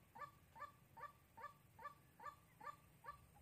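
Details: White-breasted waterhen used as a trapping lure in Sóc Trăng, Vietnam, 2 February 2021. Evenly spaced, clipped nasal calls repeated about every 0.4 seconds, eight in a row, over low rumbling background noise.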